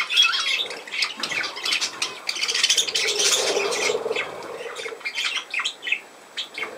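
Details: Pet budgerigar indoors in a small room, giving a fast, scratchy chattering warble of short buzzy and chirping notes, dense and high, with a brief low human voice murmuring in the middle.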